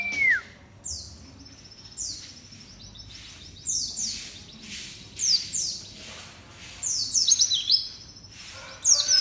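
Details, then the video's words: Scattered high, thin, downward-sweeping chirps from a white-eye, coming in short bursts every one to two seconds after a brief opening whistled slur. "SUARA BURUNG PLECI"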